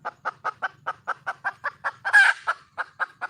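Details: Red junglefowl hen calling to find a male: an even string of about fifteen short clucks, roughly five per second, interrupted once by a loud, grating squawk before the clucking resumes.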